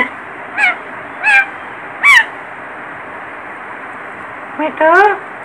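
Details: Baby parrot calling: five short harsh, rising squawks with layered harmonics, spaced about half a second to two seconds apart, the last a longer wavering cry, over a steady faint hiss.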